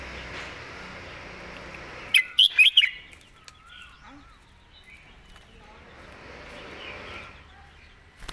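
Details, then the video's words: Red-whiskered bulbul singing a 'master song' (phleng mae bot) with smooth, elegant phrasing: one quick burst of about five bright, warbled notes, then near quiet with faint distant chirps and a soft hum. "นกกรงหัวจุก"เพลงแม่บท เดินสำนวนสวย"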